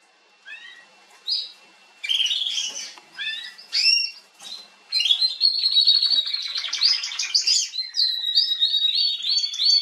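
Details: Female Atlantic canary singing on 21 January 2022: scattered short upswept chirps and whistled notes at first, then from midway a dense continuous warbling stream of rapid trills and twittering phrases.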